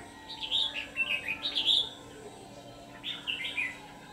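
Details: Red-whiskered bulbul used as a decoy to lure wild bulbuls for trapping; two bursts of bright, warbled, bubbling phrases, the first a run of quick rising and falling notes lasting over a second, the second shorter after a pause.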